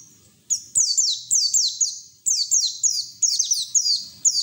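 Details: White-eye song meant to stimulate other white-eyes to sing; very high, thin notes each sliding sharply downward, grouped in fast bursts of three to four with brief gaps, a faint low hum beneath.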